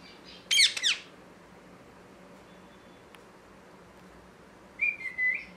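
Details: Parrot producing a brief harsh, raspy squawk, then a long silence with one faint click, followed by a short wavering whistled phrase that rises at the end.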